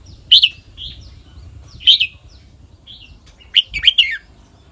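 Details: Red-whiskered bulbul singing the kwik-jok-khwai-liang phrase: loud clear whistled notes each followed by a softer note, repeated about every one and a half seconds, ending in a rapid chattering burst.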